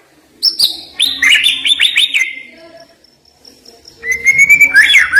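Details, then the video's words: Sharp 'isian' song of a white-rumped shama (murai batu), used to rouse birds that are slow to sing: loud chattering whistled phrases, a brief near-silent pause with a thin high tone, then a long rising whistle and twisting notes. "Ngeri Isian Murai Batu Ini Nembak Tajam Naikan Emosi Burung Malas Bunyi"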